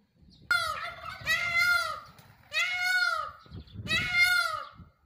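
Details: Peacock (Indian peafowl), filmed while dancing, gives loud, nasal, wailing calls that each swell and fall, three in a row with short pauses between, over a faint low rumble.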